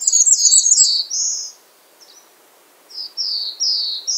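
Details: Dense, very high chattering notes overlap with slurred whistles from a bay-breasted warbler. After a short pause comes a series of four thin descending whistles repeated at half-second intervals.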